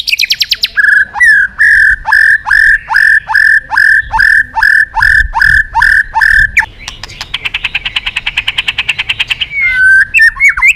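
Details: White-rumped shama singing loudly as a lure to call a rival: a run of about twelve clear, evenly spaced whistled notes over six seconds, then a fast buzzy trill and a few sharp closing notes.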